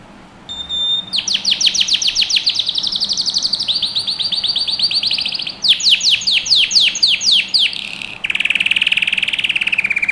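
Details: Canary singing for young birds in training: a brief pure whistle, then rapid trills of sweeping notes in several tours, a faster choppy phrase, and a low buzzy roll with a faint background hum.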